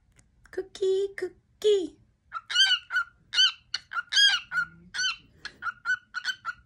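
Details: A male pet cockatiel's favourite song, sung every day. Two lower, drawn-out wavering notes open it, then loud rising-falling whistles follow, and runs of short steady-pitched whistled notes close it.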